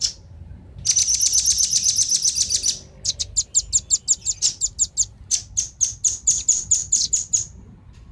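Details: Luring calls of velvet-fronted nuthatch, male and female: a long, rapid high-pitched trill of about two seconds, followed by a steady series of sharp, separate chips repeated several times a second.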